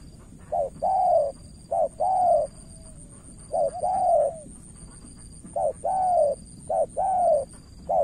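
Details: Decoy spotted dove from Cà Mau, Vietnam, calling at a wily rival dove. Soft two-note coos, a short lead note and a longer rounded one, come in clusters with a gap near the middle, over a faint high drone.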